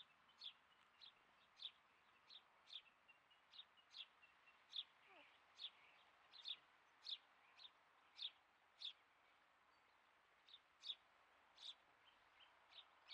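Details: Captive female satyr tragopan, two years old, with her chicks: thin, high peeps repeated steadily, roughly every half second, about twenty in all, over faint background hiss.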